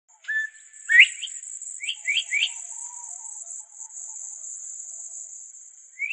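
Northern bobwhite whistles a flat note that snaps into a sharp upslurred 'white', then three quick rising notes, over a steady high insect buzz.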